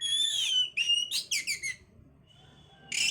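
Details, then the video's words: Oriental magpie-robin song to stimulate breeding condition: a long clear whistle, then quick descending chattering notes, a quiet stretch and a final harsh burst, over low background hum. "pancingan suara Kacer untuk mendongkrak birahi"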